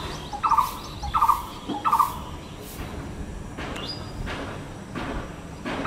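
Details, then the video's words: Blue-throated barbet calling near a balcony: a rhythmic phrase of short rolling notes repeated roughly every 0.7 seconds, three times in steady sequence, then once more at the end, over a constant background hiss. "The distinctive call of the Blue-throated Barbet"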